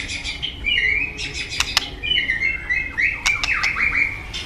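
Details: White-rumped shama song, quieter against steady hiss: a warbled string of high whistles, short sharp clicks and rapid slurred notes flowing without pause.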